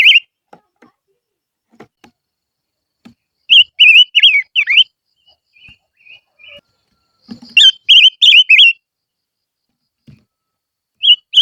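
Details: Silver-eared mesia singing a decoy lure song: two bursts of bright, warbled whistled notes, five or six each, separated by several seconds of quiet with faint clicks and knocks.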